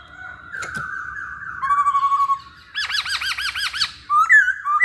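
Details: Lure song of a masked laughingthrush meant to set other birds singing: a drawn-out slurred whistle, then a rhythmic run of arched, bouncing notes, ending with short, sharp whistled phrases.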